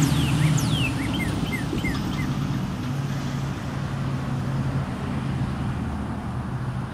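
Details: Male northern cardinal singing on 22 February 2013: two long whistles sliding steeply downward, then a quick run of short repeated down-slurred notes, over a steady low rumble like traffic.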